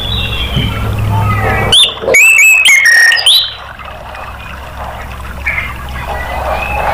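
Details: Orange-headed thrush singing in a recording for prompting caged birds: a burst of several short, clear whistled notes stepping up and down in pitch, set against steady background noise.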